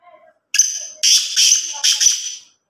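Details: Black francolin calling: a short quiet note, then a loud burst of three to four harsh, buzzy, ringing notes run together over about two seconds.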